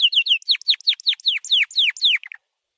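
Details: Training song of a white canary: a run of about a dozen loud down-slurred whistled syllables repeated several times a second, ending in a few short chips, then silence.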